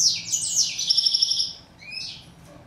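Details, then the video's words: A goldfinch (chardonneret, Moroccan "steyla") sings a quick, high, tinkling twitter: tumbling notes, then a rapid run of repeated chips and a final short rising note. "Song of bird goldfinch"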